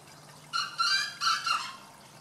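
A cotton pygmy goose gives four short, nasal, reedy notes in quick succession over about a second, against a faint steady low hum.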